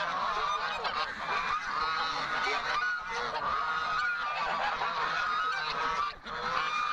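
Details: Flock of domestic Chinese geese honking loudly as they are let out in the morning in late August, with a storm expected. Dense, overlapping brassy honks run continuously from many birds at once.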